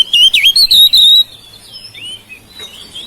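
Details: Oriental magpie-robin, a house-kept bird, singing to prompt silent birds: a loud opening run of looping whistles lasting about a second, then softer, drawn-out warbled notes.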